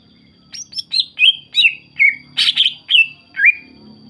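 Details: Greater green leafbird singing energetically, a lure recording meant to provoke other leafbirds to answer and sing: a rapid run of varied clear whistles and chirps, about ten notes in under four seconds, some rising, some falling, one harsher burst.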